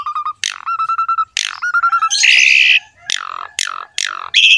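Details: Captive Asian pied starling song, played as a master recording to coax a quiet bird into singing: clear steady whistles mixed with sharp downward-sweeping notes, a harsh buzzy burst, then more quick falling squawks.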